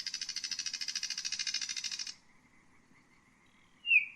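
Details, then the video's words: Common nightingale (Luscinia megarhynchos) song: a long high buzzy rattle of fast pulses lasting about two seconds, then a faint hum and one sharp high note. Soft low rumble beneath. "Common nightingale,beautiful birdsinging"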